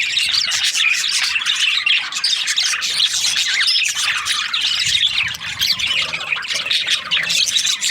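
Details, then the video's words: Several budgerigars in breeding season keep up an unbroken, excited chorus of thin chirps, trills and harsh squeaks, fairly even in loudness throughout. "Lovely budgies chirping sound parakeets breeding season"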